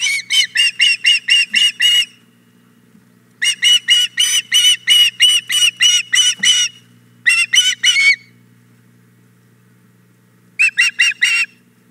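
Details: Female osprey, Hog Island Boathouse, begging after the male lands with a fish: bursts of shrill, piercing whistled notes, each burst of eight to fifteen quick repeats, separated by silent gaps of one to three seconds, faint electrical hum behind.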